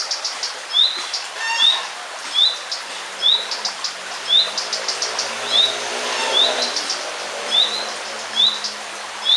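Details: Common redstart with chicks in Romania, 1 June 2013: a short high upslurred whistle repeated roughly every second, mixed with thin high chirps, faint low hum in background.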